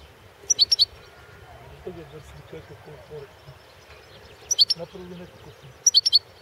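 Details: Balkan goldfinch competition entry from a 2016 Serbian internet singing contest; short, high twittering bursts at the start, middle and end, with soft low voices or rumbling audible between them.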